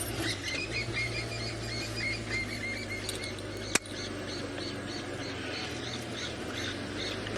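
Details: Francolins, alarmed and scared as a car engine starts on an evening game drive at Chitwa in the Sabi Sand, give harsh, rapid, repeated chattering notes, cackling steadily for several seconds over the low rumble of the engine.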